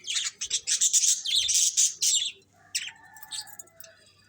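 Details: Dense warbling chatter of budgies, fast rasping notes run together for about two seconds, then scattered softer chirps and a faint whistle follow.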